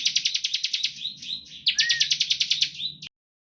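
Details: Bar-winged prinia in 'ngebren' song, used as a lure to provoke other prinias to sing: a rapid burst of about three seconds of fast repeated buzzy notes, briefly broken by slurred whistles, then stopping abruptly.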